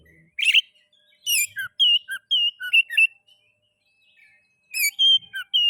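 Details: Oriental magpie-robin (kacer) song meant to stimulate other magpie-robins into singing: varied whistled phrases with clear slurred notes and dropping whistles, a pause, then more mixed whistles and harsh notes.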